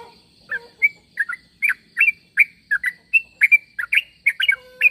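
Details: Sooty-headed bulbul calling so other bulbuls answer: a string of quick, rich chirped phrases repeated steadily, with a few soft low whistles and a faint constant high hum in the background.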